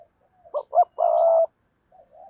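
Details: Decoy spotted dove: two short notes lead into one sustained low coo, followed by a softer faint coo.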